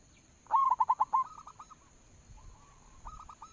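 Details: Local zebra dove lure sound: a loud burst of about six fast rolling notes, followed by softer, echoing repeats of the same rolling pattern.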